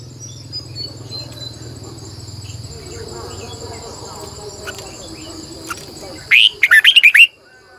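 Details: Red-whiskered bulbul singing in the morning as a lure bird for training, one loud burst of rapid warbled, looping notes near the end after a long stretch of steady insect buzzing and faint background chirps.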